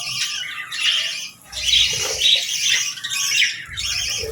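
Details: Pet budgies, including a female, chirping on a calm morning while eating and bathing: dense overlapping chatter and warbles with short squawky notes and brief pauses.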